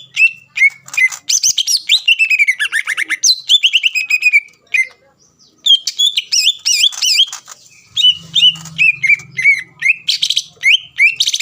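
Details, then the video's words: Greater green leafbird singing to provoke rival leafbirds into singing: loud, rapid varied phrases of sharp chirps and slurred whistles mostly high-pitched, with short pauses and a low hum in places. "PANCINGAN CUCAK IJO GACOR AHLI MEMANCING CUCAK IJO LAWAN AGAR EMOSI"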